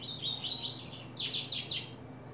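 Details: Coleiro opening its song in July 2024: a fast run of high, bright whistled notes, then several sharp downward-sweeping strokes, lasting just over two seconds with little background noise.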